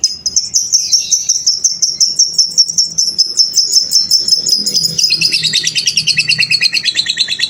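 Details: Lovebird singing a long trill, or ngekek panjang, used as a master song for training other lovebirds: a rapid, continuous high chattering trill of repeated notes that drops slightly in pitch and splits into a lower strand halfway through.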